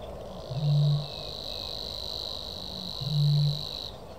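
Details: Savi's warbler (Locustella luscinioides), song.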